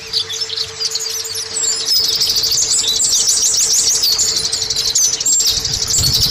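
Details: Rapid, high chattering warble of the Oriental white-eye, a lure to bring caged birds into song, building to a continuous dense stream of chirps with a steady faint hum and some low rumble at the end.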